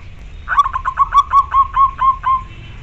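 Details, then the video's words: Zebra dove of the local natural type, offered as a model to coax a reluctant caged dove into singing: about ten soft, even cooing notes in a quick rhythmic series, slightly falling, over a low background rumble. "Suara lokal alam melatih mental dan untuk terapi bagi perkutut yang malas bunyi"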